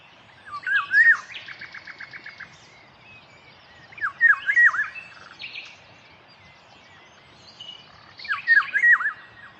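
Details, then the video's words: Eurasian golden orioles sing three fluty, yodelling phrases about every four seconds, with harsh chattering notes and other birds twittering behind. "Esa es la voz de las oropéndolas."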